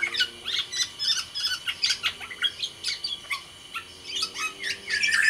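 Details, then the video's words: Black-naped oriole of the Sumbawa type, a kept songbird, singing energetically: a rapid run of sharp chirps and short whistled notes, some sliding downward, repeated almost without pause. "suara burung kepodang sumbawa GACOR DOR"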